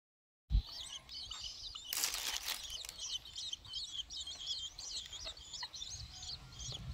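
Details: Six-day-old long-tailed shrike chicks being hand-fed give dense, high squeaky begging notes, rapidly repeated and overlapping throughout, with a burst of broadband rustling near the start.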